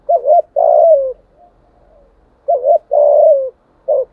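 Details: 'Giọng thổ' spotted dove cooing to draw wild doves to a fight; each phrase is a quick double note followed by a long steady coo that dips at the end, repeated about every two and a half seconds.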